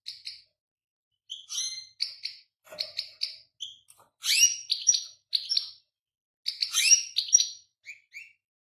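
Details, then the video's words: European goldfinch singing a bright, fast jumble of tinkling twitters, buzzy trills and liquid notes in quick bursts, with short pauses between phrases. "تغريد جميل طائر الحسون"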